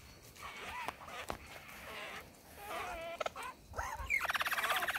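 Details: Superb lyrebird male impressing a female in the Dandenongs with mixed mimicked songs and sounds: scattered clicks and warbling wavering notes building into a fast, loud buzzy trill at the end.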